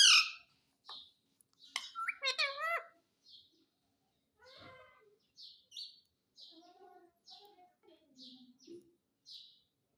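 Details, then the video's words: Talking pet parrot said to say mummy and papa and ask for roti; a loud squawky opening, a burst of wavering speech-like syllables, then a string of short high chirps and soft low murmurs. "Mummy papa Bolta Parrot || Pyaare mitthu ki roti do|| Talking Parrot"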